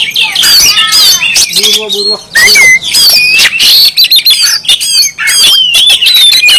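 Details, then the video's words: Oriental magpie-robin from Kalimantan in loud, persistent song: a fast run of varied high whistles, slurred notes and scratchy trills, broken midway by a brief low nasal buzz. "awas kacer anda ikut nyaut,gacor,dan buka ekor mendengar kacer ini"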